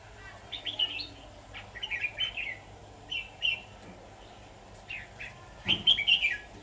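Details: Red-whiskered bulbul singing as a decoy bird during trapping, recorded 23 October 2019: short, bright, warbled whistled phrases given in bursts, with a louder, richer flourish near the end, over a low steady background hum.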